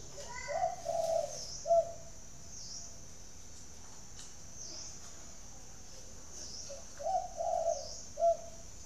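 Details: Caged spotted dove in Ba Vì, Hanoi, Vietnam, repeating its coo phrase twice about six seconds apart: a rolling pair of mellow coos ending in a brief emphatic note, with quiet gaps and faint hiss between.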